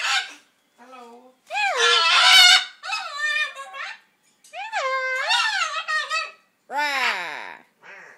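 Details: Macaw attempting to mimic human speech, the attempt described as very fuzzy; a run of hoarse, rising-and-falling squawked syllables in bursts of about a second, separated by brief pauses.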